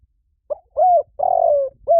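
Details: Part of a spotted dove lure call: a short opening note, a steady coo and a long falling coo, then the start of another note as the phrase is cut off; background silent.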